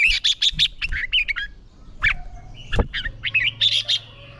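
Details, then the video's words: Red-whiskered bulbul practising fight singing, pouring out almost unbroken chattering, whistled notes that rise and fall, interrupted once by a sharp knock-like click. "Chào Mào Hót | Thúc Chim Sổ Giọng | Luyện Chào Mào Hót Đấu"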